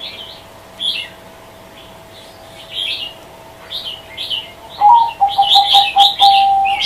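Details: Scattered high chirps of small birds at first, then a zebra dove starts a fast series of short, low, even coos near the end.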